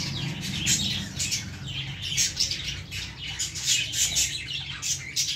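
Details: Several baby lovebirds in a plant keep up busy, shrill twittering: short squeaky chirps and harsh little squawks repeated irregularly, about forty bursts a minute, over a soft low-frequency background hum.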